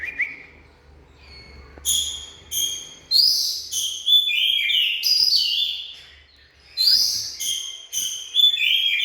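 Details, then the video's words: Oriental magpie-robin in full song, a rich run of high whistles, chirps and sliding notes packed closely together, with a faint steady low hum. "Bird Oriental Magpie-Robin| Birdsong"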